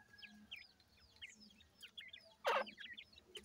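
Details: Young teetar (partridge) chicks being raised and fed, giving thin, high peeping chirps that rise and fall, scattered steadily through the clip, with a sudden loud rattling clatter near the end.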